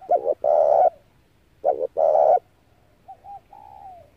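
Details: Lure call of a Spotted dove for trapping: two phrases of a short doubled coo and a long mellow coo, followed by soft falling trailing notes.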